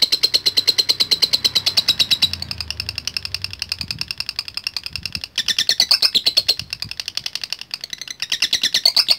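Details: Lovebird singing latah gacor song to call rivals in bird contests: hammering rapid high chatter, softer in the middle, then bursting louder with rising squeaky accents toward the end.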